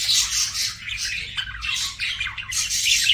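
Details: Pet budgerigars chirping: a continuous busy chatter of harsh squawky and warbling notes with no clear pauses, recorded indoors.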